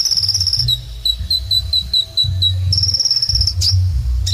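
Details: Sunbird called kolibri ninja in energetic gacor singing: a wavering high trill, then a regular series of short sharp notes about four per second, returning to a buzzing trill, with low background hum.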